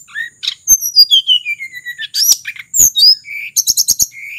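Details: Mountain sulingan from Merapi, recorded as a lure for tledekan flycatchers: a descending series of whistled notes, then harsh high slurs and a fast stuttering run of repeated chirps before a final rising whistle.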